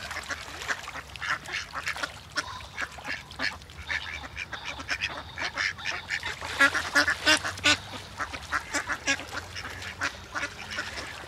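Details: Many ducks swim together on water beside great white pelicans, calling all at once: a dense, overlapping chorus of harsh, rasping quacks, roughly three bursts a second, with no single bird standing out.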